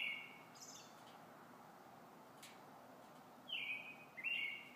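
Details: Robin in evening song: a brief thin whistle at the start, a long quiet gap, then two sharp high whistled notes close together, each falling then steadying, with faint background noise.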